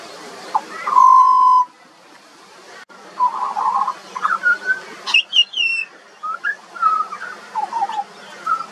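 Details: Juvenile pied butcherbird in song: a long loud steady whistle, a rough warbled note, a high sharp rising phrase, then a quick string of short varied whistles and chirps.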